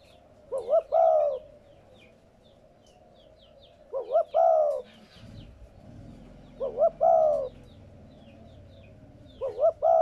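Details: Recording for stirring newly caught captive spotted doves into cooing: four mellow phrases roughly every three seconds, each two quick rising notes then a long held coo, with soft twittering of other birds and a brief low rumble.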